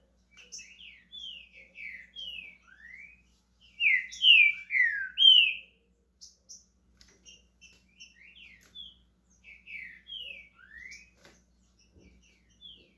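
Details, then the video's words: Starting its song, a green-winged saltator from Brazil gives soft scattered whistles, then a loud cluster of three or four descending slurred notes, then more quiet upslurred and downslurred whistles. "Trinca ferro SHREK começando a cantar"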